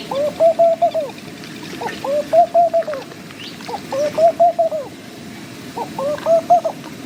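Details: Laughing dove repeating its low, gentle coo phrase four times, roughly every one and a half to two seconds, each a bubbling rise and fall of several linked notes over quiet background rustle.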